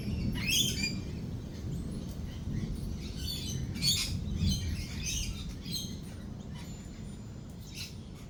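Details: Lorikeets call at a cafe during rolling thunder and lightning. A sharp squeal opens, then softer scratchy screeches repeat irregularly over a broad low rumbling background.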